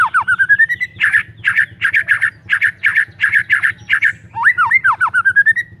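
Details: White-rumped shama singing hard, intended to make silent shamas sing: a rising whistled run, then rhythmic bursts of rasping buzzy doubled notes, ending in looping clear whistles, with a soft low hum behind.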